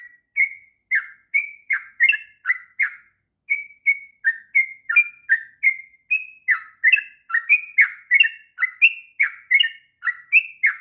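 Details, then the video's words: Training-master 'ngropel' song of a sooty-headed bulbul: a fast run of bubbly whistles, a brief gap after the first few notes, then steady repetition of flat and down-bending notes without background noise. "kicauan trucuk ngropel panjang...cocok untuk masteran trucukan bahan.."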